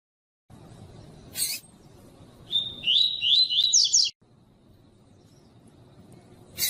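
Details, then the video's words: Female double-collared seedeater (coleiro tui tui) call, played to rouse males, gives a quick run of thin, high chirps rising over about a second and a half, over a low hum and a couple of sharp clicks. "PIADO DE FÊMEA DE COLEIRO ESQUENTAR COLEIRO TUI TUI"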